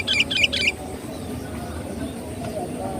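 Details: Sooty-headed bulbul song used as a lure to attract birds: three quick bubbly, chattering phrases in the first second, then a low rumbling background.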